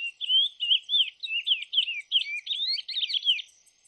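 Lesser seed finch singing a fast, continuous run of sweet whistled and warbled notes, sliding up and down in a high register, with no pauses.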